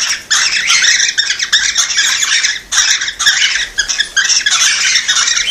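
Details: Cockatiels squawking and chirping together to encourage mating and breeding: harsh harmonic calls in loud bursts, with a clear pause near the start and another in the middle.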